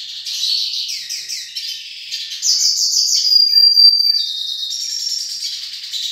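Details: Hooded siskin pair from the Nordeste singing: quick descending chirps, then a bright sustained twitter with a thin high whistled note held about a second, followed by fast rattling warble.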